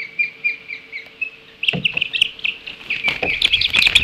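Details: Osprey at a nest on Hog Island, Maine, as a bald eagle grabs a fleeing chick. Evenly spaced short high chirps give way to a sudden burst of loud, harsh, overlapping calls and commotion.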